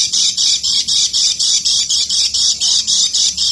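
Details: Ngeker song of a lemon-bellied white-eye: fast, even bursts of high, harsh chattering notes repeated four times a second without pause, loud and close.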